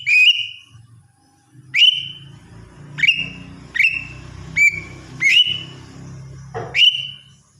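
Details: Greater green leafbird, a singing bird used as song training material. Bright, clear whistled notes with a sharp onset, repeated at uneven intervals about every second, over a faint low hum.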